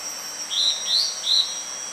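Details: Yellow-bellied bulbul calling: three short, slightly rising then falling high notes spaced about 0.4 seconds apart, over a faint steady high-pitched insect whine.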